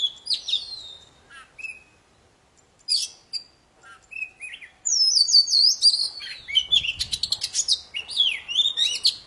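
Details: Oriental magpie-robin of the poci form in full, lively song, meant to coax quiet birds into singing: scattered whistles and clicks at first, then a dense run of rapid chirps, trills and swooping notes.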